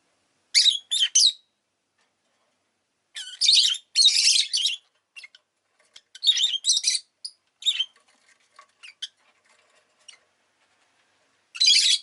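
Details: Rosy-faced lovebird (Agapornis roseicollis) kept as a pet, giving harsh, buzzy high chirps in short bursts of two to four notes, separated by pauses of a second or more, with scattered softer ticks between.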